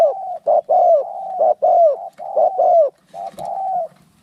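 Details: Fighting spotted doves give rapid low coos, each short clipped note followed by a longer falling one, running almost continuously before a brief pause and a final softer phrase.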